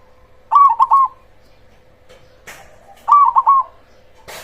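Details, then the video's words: Zebra dove of the cemani strain, a loud, persistent singer used to lure rivals into answering: two rapid, stuttered coo phrases, each with a trailing note, separated by sharp clicking sounds over a constant low hum. "Pancingan Ampuh perkutut cemani gacor suara besar untuk semua jenis perkutut"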